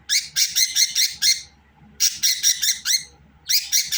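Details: Budgerigar chattering loudly in three rapid bursts of harsh, buzzy, harmonic-rich notes, each burst holding five or six quick syllables with short pauses between bursts.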